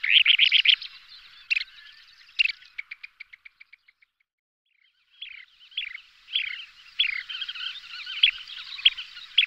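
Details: Kentish plover pair calling during aerial display: a quick burst of sharp, high notes, then a slowing run of clipped pips, and after a short pause busy, chattering, rolling calls.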